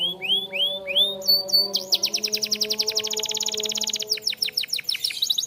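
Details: Canary singing for training: rising whistled upslurs repeated several times, then a long rapid rattling trill, followed by broken chirps and high whistles, with soft low steady tones beneath.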